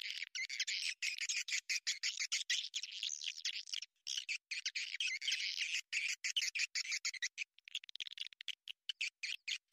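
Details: Swiftlet calls played as a lure to draw birds into a swiftlet house: dense, high, buzzy chirps and twitters in rapid irregular bursts, with brief gaps between runs, and no other sounds.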